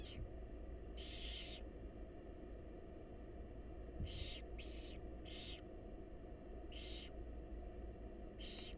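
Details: Wild barn owl chicks in a monitored nest box while their mother feeds them: harsh, broadband hissing screeches about half a second long, given in irregular bursts, over a steady low hum.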